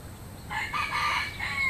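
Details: Rural rooster gives a single crow, a harsh, multi-part rising and falling call that starts after about half a second and fades with a short upward-sliding end. Light steady background noise.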